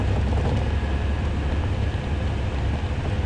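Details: A vehicle engine drones with a deep steady rumble from start to finish.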